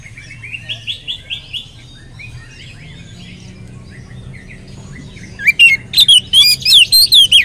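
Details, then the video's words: Oriental magpie-robin in vigorous full song with a rich repertoire, played as a lure to get other magpie-robins singing; soft fluttering notes first, then loud, sharp whistled phrases sweeping up and down in rapid bursts near the end. "kacer gacor materi mewah pancingan kacer ikut gacor bongkar materi"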